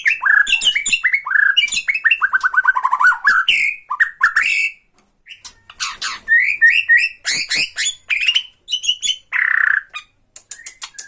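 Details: Bornean white-rumped shama singing to provoke a rival: rich, varied song of rapid whistles, chattering trills and sharp ticking notes, loud and continuous with one short pause midway.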